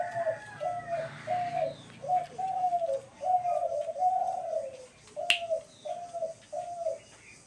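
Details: Dove heard on March 28, 2024, giving a series of low, hollow coos, each short and slightly falling, repeated about every half second with a longer rolling phrase in the middle; a sharp snap is heard near the end.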